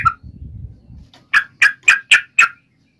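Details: Provoking fight song of a yellow-vented bulbul (trucukan): after a low rumble, five loud throaty notes follow in quick succession, about four per second.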